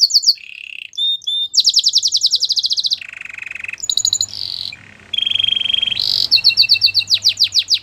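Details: Canary song for training, with rapidly changing tours: dense high rattles, lower buzzy rolls, a steady trill and closing quick whistled sweeps.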